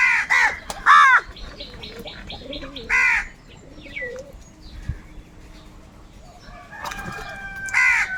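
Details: Several hungry crows squabble over food while eating: four loud, hoarse caws, two close together at the start, one mid-way and one at the end, over steady rapid chirping and faint low cooing.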